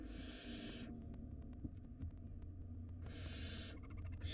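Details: Barn owl nestlings at the nest during a food shortage after a long storm, the three older young dominating delivered prey; harsh, broadband hissing screeches of about a second each open and close the stretch, with low rumbling noise between.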